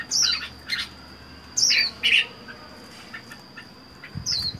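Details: Lone caged Red-whiskered bulbul, four months in captivity after capture from the wild, makes loud squawky chirps and slurred whistles in short paired bursts, with a faint constant high hum.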